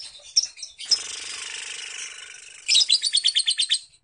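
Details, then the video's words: A lovebird gives a long 'ngekek' chatter: a high, dense, buzzy chatter running unbroken for about two seconds, then breaking into a quick string of shrill chirps. "Lovebird ngekek panjang"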